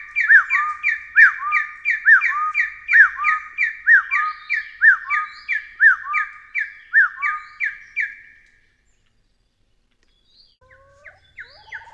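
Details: A long run of Taiwan hill partridge double notes recorded in Taiwan, falling then rising whistles repeated briskly for about eight seconds before silence and faint scattered notes.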